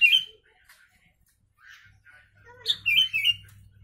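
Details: Sooty-headed bulbul singing a song filled with imitated Javan myna phrases, kept as a tutor recording for mynas and bulbuls: a bright whistled phrase opens, then after quiet a cluster of loud, clear slurred whistles, over a low hum.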